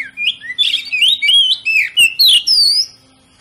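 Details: Oriental magpie-robin (kacer) song played to urge other magpie-robins to sing: a continuous rush of rich warbled whistles, scratchy chirps and sweeping slurred notes, ending in a long rising whistle.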